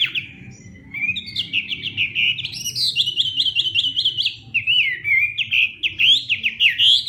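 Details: Hwamei singing a morning training song in competition style: a continuous run of loud, clear whistled phrases, rising and falling and looping, with rapid trills near the end. There are no other clear sounds.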